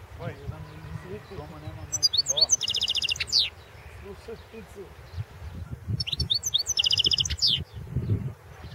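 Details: European goldfinch singing in a 2016 world championship competition recording: two bursts of high chirps leading into buzzy, rattling trills, with low rumbling noise and some murmuring between phrases.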